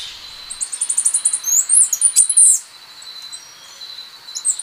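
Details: Costa Rican brushfinch singing a quick series of high, thin repeated notes that builds into a few piercing, slurred whistles, then a short pause and a brief high note at the close.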